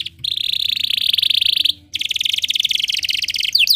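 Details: Belgian canary song for training canaries: a dense buzzy high trill held for nearly two seconds, a brief break, then a rapid rattling trill of quick repeated notes.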